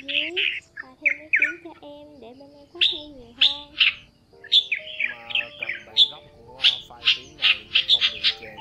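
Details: Flock-calling red-whiskered bulbuls, male and female, recorded for trapping: sharp chirped notes in irregular bursts that grow denser toward the end, over continuous lower wavering tones.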